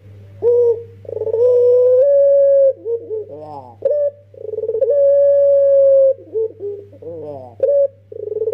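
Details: A young Barbary dove, kept as a lure bird, gives long, mellow, level coos broken by short rolling, throaty notes, about one phrase every three seconds, over a steady low hum.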